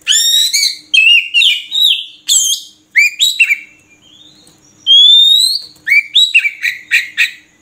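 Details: Oriental magpie-robin singing loud, clear whistled phrases with rich harmonics, rising and falling slurred notes, a long upslurred whistle near the middle, and quick repeated chips between phrases.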